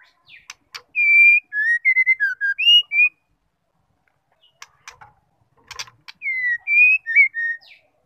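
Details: White-rumped shama, a female voice used to provoke a male: a whistled phrase of about nine level, dipping and rising notes, a pause with clicks, then the phrase repeated.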